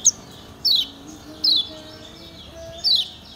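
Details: Kecial kuning, the lemon-bellied white-eye of Lombok, on a training recording: four sparse, high, thin chirps, each sliding downward, separated by pauses of about a second, with low steady hum behind.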